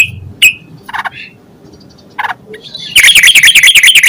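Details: Yellow-vented bulbul as a lure to get other bulbuls singing: a few separate sharp notes and short buzzy bursts, then a quick, even burst of loud repeated chirps for the last second.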